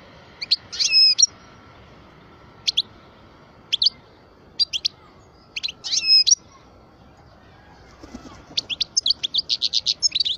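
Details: Twelve-year-old parva European goldfinch giving spaced, abrupt high double chips and short twitters at intervals, then a rapid string of bright, repeated tinkling notes at the end.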